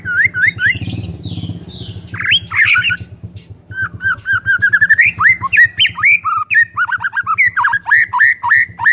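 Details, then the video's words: Lively white-rumped shama song, aimed at making silent shamas sing, a long flowing stream of varied whistles, slurs and quick repeated notes, over a steady low mechanical hum. "PANCINGAN MURAI BATU GACOR"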